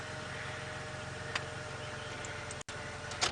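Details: A steady idling vehicle engine hums throughout, with a couple of brief clicks and a short dropout near the end; no animal calls.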